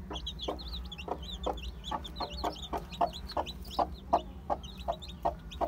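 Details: Crowded one-day-old Aseel, Heera, Java and Muska chicks keep up a busy chorus of high, short cheeps, accompanied by frequent hard tapping sounds and a persistent low hum.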